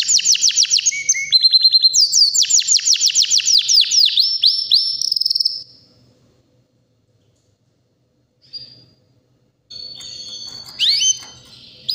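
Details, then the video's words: White canary, about three years old, healthy and ready to breed, singing powerfully in rapid high trills and rolling repeated notes for about five seconds, then silence, a brief chirp and another burst of bright warbling. "BEAUTIFUL WHITE CANARY NON STOP POWERFUL SINGING"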